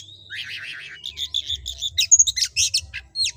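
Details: Kacer, the oriental magpie-robin, in lively ngobra song used for training other kacer: a buzzy warbled phrase opens, followed by quick whistled notes and sharp, rapid chirps.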